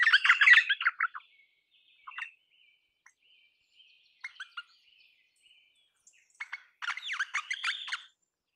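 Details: Crimson rosella calling with bursts of harsh, rasping chatter, loud at the start and again near the end, separated by scattered short squeaky notes and quiet gaps.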